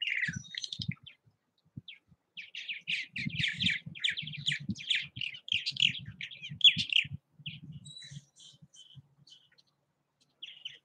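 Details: Purple Martins busy around bird houses in Southwest Missouri, producing a long flurry of jumbled, gurgling chirps over a soft low rumble, fading to sparse notes near the end.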